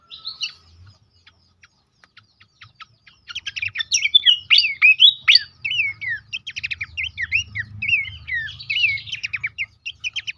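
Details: Horsfield's babbler song used as a lure and training recording to make caged birds active and sing: sparse faint chirps, then a dense run of varied whistled slurs and rapid ticking notes around two seconds per phrase, no other sounds.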